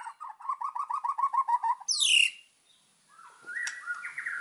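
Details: White-rumped shama master song for training birds: a quick row of low pulsed warbling notes, a sharp high downslurred whistle, then softer sliding whistles after a quiet moment.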